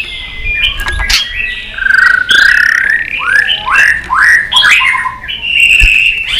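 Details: White-rumped shama in a many-voiced fighting song: rich rising and falling whistled phrases and short slurred notes over a steady background hiss and rumble.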